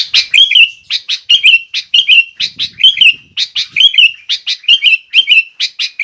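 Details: Sooty-headed bulbul in lively, vigorous song used as a master and provoking song to make other bulbuls excited and sing: bright, bubbly phrases of short notes and rising-falling whistles, repeated roughly every half second without pause.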